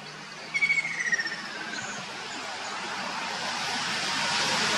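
A Ruddy kingfisher gives one slow, falling trill of fluty notes that slides downward over about two seconds. A steady rushing hiss then builds.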